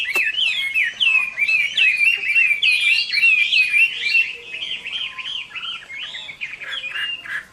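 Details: Captive Chinese hwamei giving its fighting song at summer midday: a rich, fast run of loud slurred whistles and looping warbled notes, high and continuous, tapering slightly toward the end.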